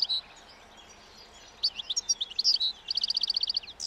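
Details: Roadside wild European goldfinch feeding on leftover thistle seed as spring nears, singing breeding song: a high buzzy note, a pause, jumbled twitters, then a rapid even trill of about a dozen clipped notes.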